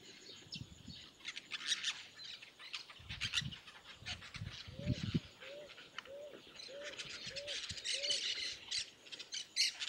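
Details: Yellow-chevroned parakeets, a noisy group in the sertão of Bahia, Brazil: dense bursts of high, shrill chattering chirps come in waves throughout. A series of six short, low arched notes repeats about every half second midway, with rustling thumps.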